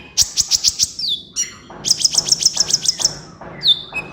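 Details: Kolibri ninja sunbird training recording: a short run of very high sharp notes, a descending slur, then a fast rattling trill of repeated high notes and a final downslurred whistle.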